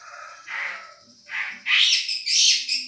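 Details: Long-tailed shrike, Madura strain, champion masteran tutoring material: a few rough, hoarse phrases, growing louder into two bright, harsh, shrill bursts.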